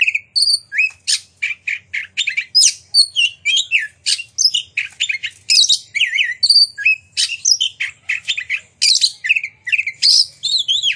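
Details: Lure song of an Oriental magpie-robin, loud and ringing, meant to get other magpie-robins to open their tails and show their repertoire; quick high-pitched bursts of varied whistles, chips and fluttering trills follow one another almost without pause.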